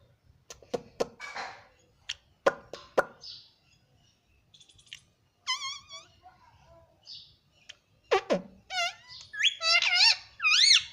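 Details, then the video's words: Talking pet rose-ringed parakeet indoors: soft clicks and scattered mutters first, then a burst of quick, harsh, rising-and-falling nasal syllables run together toward the end. "Parrot Talking || Bolne wala tota"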